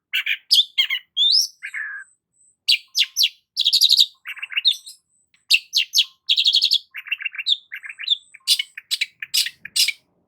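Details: Long-tailed shrike singing vigorously, a dense, varied run of sharp chirps, buzzy rasps and short trills in rapid bursts, with brief pauses between phrases; no other sounds.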